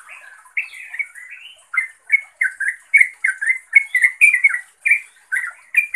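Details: Yellow-vented bulbul call meant to summon a rival or mate. Soft faint notes open the clip, then loud, throaty, upslurred chirps follow in an uneven, quickening run.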